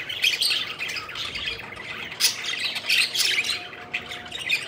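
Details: Pet budgerigars at play, flying around: bursts of high, scratchy chirps and squawks tumble over one another in quick, uneven clusters.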